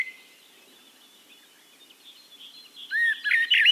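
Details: Eurasian blackbird singing in Castricum, the Netherlands: near-quiet background for almost three seconds, then a loud phrase bursts in, a rising whistled note followed by high, squeaky twittering notes to the end.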